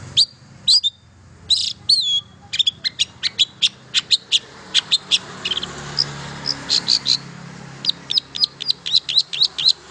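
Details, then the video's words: Long-tailed shrike singing, a recording meant to prompt silent shrikes to sing: bright, clipped high notes in quick uneven runs over a soft steady background hiss. "KICAU INI AMPUH MERANGSANG CENDET BISU JADI GACOR"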